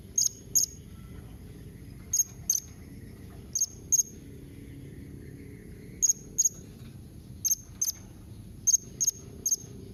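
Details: Sharp calls of a blue-crowned hanging parrot, meant to draw replies from other parrots: paired high, thin, piercing notes repeated roughly every one and a half seconds, evenly spaced over a quiet background.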